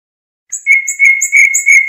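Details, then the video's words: European goldfinch song, recorded to tutor young birds: a short buzzy trill on one pitch, pulsing about three times per second, with thin higher notes over it. "صوت الحداد"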